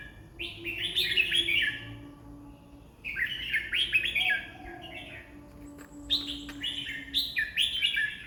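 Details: Red-whiskered bulbul, described as delivering 20 song phrases a minute, gives three lively chattering phrases of rapid liquid whistles, each lasting one to two seconds with gaps between, against a faint constant background drone.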